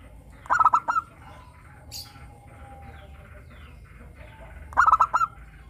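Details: Local zebra dove in full song with a 'crystal' voice, used as a lure to make captive doves sing: two phrases of rapid stuttering coos, each ending in a few longer rolling notes, about four seconds apart, with faint chirps behind.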